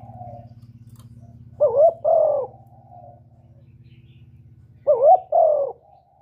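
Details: Spotted dove cooing, a call used to lure doves into traps: two paired phrases, each a quick wavering coo followed by a longer falling coo, repeated about three seconds apart over a steady low engine-like hum.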